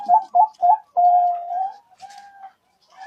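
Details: Zebra dove, a Bangkok-type or local bird, recorded as a lure sound for trapping: three short rising coos, one long drawn-out mellow note that slowly fades, then softer clipped coos with a faint rustle.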